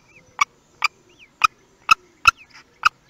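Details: Common kestrel at its nest in Théding, France, on 18 May 2021, the day the first chick hatched; six short, sharp, clipped notes repeated about every half second, with faint soft chirps between them.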